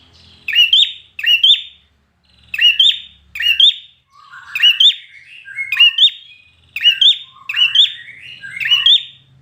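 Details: Competition-trained red-whiskered bulbul sings a lively run of whistled phrases, early ones crisp and paired, later ones lower, fuller and more varied, repeated steadily with short gaps.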